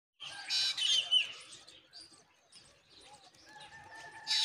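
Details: Myna chicks being fed by a parent give harsh, raspy begging calls in noisy bursts, loudest at the start and end, with thin, higher squeaks in the quieter stretch between them.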